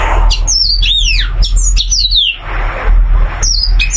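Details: Caged oriental white-eye, a large golden-green bird with joined brows and a duck-like body, singing a varied continuous song: quick high whistled notes sweeping down and up in rapid runs, over a steady low rumble.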